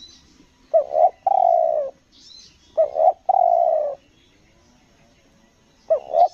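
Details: Tekukur, the spotted dove, on Lombok at a luring session, in the selang nguku gagap style: a clipped stammering two-beat coo followed by a long, slightly falling husky note, heard twice plus another start; soft high bird chirps.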